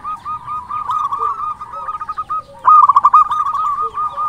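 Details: A local zebra dove, a frequent singer, used as a model song to lure and provoke rivals, gives rolling, trilled coos in two long phrases, each a rapid run of soft, even notes, the second louder and more staccato.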